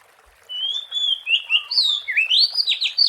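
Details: Oriental magpie-robin in the wild, recorded as a lure, delivering a strong phrase of drawn-out whistles that break into quick upward-sweeping, slurred notes, loud and continuous through the whole stretch.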